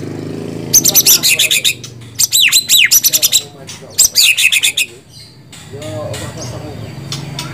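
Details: White-rumped shama song in three quick runs of rapid, clipped high notes with some sweeping whistled slurs, followed by quieter scratchy sounds and a faint low background hum.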